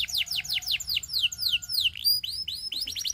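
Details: A canary sings a rapid string of high, sharply falling whistled notes, about four a second, then switches to rising, looping upslurred phrases.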